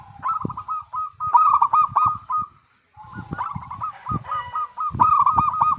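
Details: Local zebra dove singing to draw song from other doves: three rolling bursts of rapid staccato coos, broken by a brief silence, with low thumping noises underneath.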